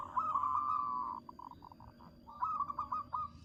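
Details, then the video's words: Zebra dove of a local strain, used to lure wild birds: a drawn-out trilling coo, then a few separate soft pulses and a final burst of rapid rolling notes, with low background hum throughout. "Suara merbok kocak.perkutut lokal gacor suara besar"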